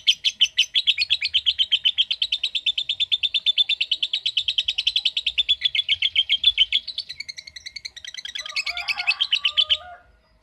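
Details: Ten-second 'ngekek panjang', a long lovebird trill in the 'ngetik' style, made of a dense machine-gun run of high chattering notes. It wavers near the end into mixed squeaky chirps before stopping abruptly.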